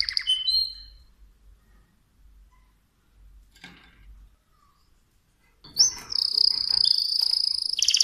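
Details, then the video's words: Mosaic canary giving a few short whistled notes, then near silence with faint rustles, before a loud high sustained trill with a steady buzzy whistle begins in the last seconds. "تغريد كناري موزاييك Chant de Canari Mosaïque"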